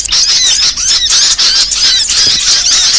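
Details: Small songbirds, varied song for training songbirds: rapid high squeaky warbling with looping whistled phrases and brief gaps about every second.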